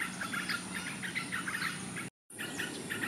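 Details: Yellow-vented bulbul (Pycnonotus goiavier) giving a run of quick, bubbly chirps at mid pitch, over a steady high insect whine and a low background hum.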